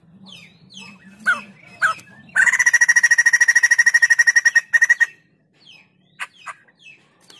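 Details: White-crested laughingthrush singing vigorously: a few sharp chirps lead into a loud, fast, steady rattle of about twenty-five ringing notes lasting nearly three seconds, then quieter scattered chirps.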